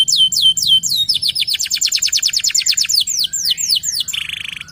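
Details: Lively local canary song used to trigger other canaries: a few slurred whistles lead into a rapid, even train of high downward sweeps, which slows into wider swoops and ends with a short buzzy trill.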